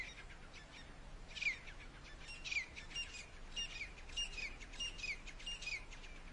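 Grey partridge giving a harsh, creaky 'kirr-ick' call, repeated about every half second to second, over faint steady background hiss.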